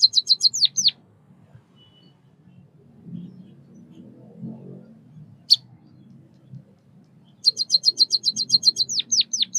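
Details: White-headed munia, a Southeast Asian songbird, giving two bursts of very high, rapid repeated chirps with quick downward-sweeping notes, one near the start and one near the end. A quiet stretch with a faint low hum separates them.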